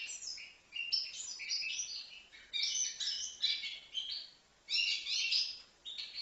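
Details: A goldfinch of five months from Livno sings in three bursts of fast, jangling twitters and chirps, each separated by a brief pause.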